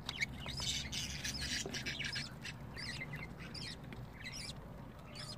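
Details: Budgerigar chicks give rapid, raspy, wavering squawks, about three or four per second, rising and falling in pitch, with a low hum behind.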